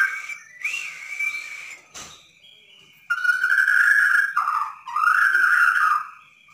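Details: Borneo white-rumped shama singing nonstop, used to lure a reluctant bird into song: whistled rising phrases, a sharp click, then two long loud warbling whistle runs.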